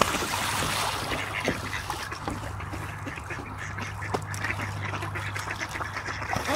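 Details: Ducks playing in a peaceful pond in Espoo, Finland, with no background music: scattered soft quacks and splashing water over a steady low hum, the calls irregular and overlapping.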